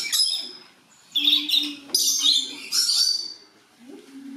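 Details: A captive blue-eared lory (Eos semilarvata), kept in a warm house, gives four harsh, high, rasping screeches about a second apart over a faint low hum; the volume has been turned way down.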